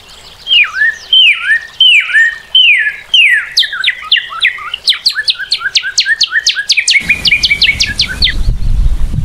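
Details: Northern cardinal singing loud, clear downslurred whistles, cheer-like and repeated about every second, then speeding into a rapid series of sharp slurred notes. A low rumbling noise joins over the last two seconds.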